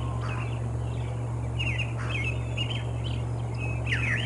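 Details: Bald eagle calling early morning at the Decorah North nest on 25 April 2021: scattered short, high, descending chirped notes in loose bursts over a steady low electrical hum.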